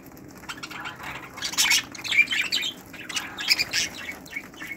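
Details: Aviary flock of breeding budgerigars, 2018, producing irregular squeaky chirps and raspy squawks, building from quiet to busier overlapping calls.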